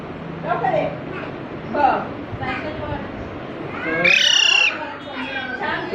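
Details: Parrot chick arriving at a new home in Panvel on a March Sunday in 2019 gives a single sharp, bright squeak after several seconds of people chatting.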